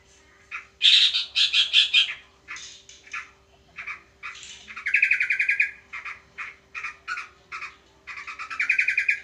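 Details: Sooty-headed bulbul facing a house sparrow in a fight: harsh, chattering bursts of squawks and buzzy notes in irregular clusters, some rapid rattling series, with a steady faint electrical hum throughout.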